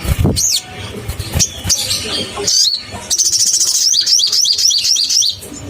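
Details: Crimson sunbird, a lure recording meant to provoke caged birds. It opens with scattered high squeaks and clicks, then a rapid rattle of thin, high, down-curving notes in the second half, over faint low rumble.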